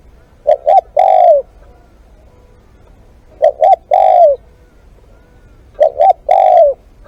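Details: Spotted dove singing during a live decoy session: three phrases about every three seconds, each two short clipped notes then a long, loud, slightly falling coo, with a faint background hiss.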